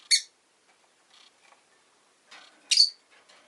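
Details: Rosy-faced lovebird giving two shrill, high chirps about two and a half seconds apart, softer scratchy sounds in between.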